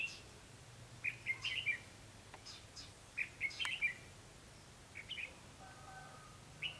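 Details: Red-whiskered bulbul serving as a decoy for trapping in Vietnam, uttering short bubbly whistled phrases in bursts every couple of seconds, with faint clicks and a low background hum.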